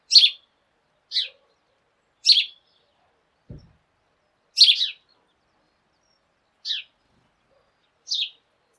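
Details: Sparrows in a morning flock, loud and seemingly quarrelsome yet not aggressive: crisp chirps, some doubled, spaced one to two seconds apart, with a single dull thump near the middle.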